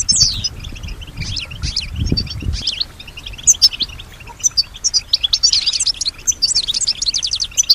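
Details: A kept European goldfinch, noted for imitating surrounding sounds, starts with scattered high notes over low rumbling. It then builds into lively bursts of rapid tinkling twitters and buzzy trills.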